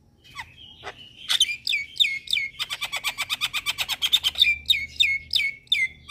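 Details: Starling lure calls used to prompt wild or kept starlings to respond. A thin whistle opens into a quick chattering run of staccato notes, followed by repeated falling whistles.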